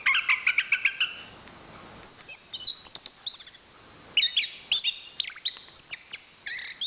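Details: Chestnut-capped thrush of national champion class opening with a quick run of repeated chirps, then thin high whistles, short pauses and bursts of rising and falling notes.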